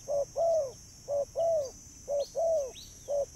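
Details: Spotted dove coos used to call birds, three clear pairs of a short hoot and a longer curved coo, about one pair per second.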